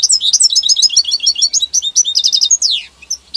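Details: Strong European goldfinch song, Italy: a dense, continuous stream of high, tinkling, rapidly alternating chirps, finishing with a descending sweep and a few soft notes.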